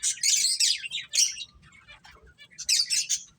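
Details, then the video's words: Playing finches chirp in bright high bursts, a loud cluster at the start and another near the end, quieter scattered notes between. "Beautiful Birds Chirping Sounds | Cute Finches Playing"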